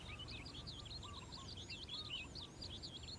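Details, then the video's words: A calandra lark sings in the morning with a rich, tumbling warble of quick looping high notes, run together continuously, and a low hum underneath. "Calandra Lark Bird Singing In The Morning"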